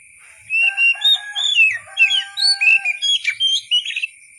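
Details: Kacer, the Oriental magpie-robin, singing as tutor material for other songbirds: a continuous stream of about twenty varied whistled notes, some long and level, others swooping, with a steady high hum behind.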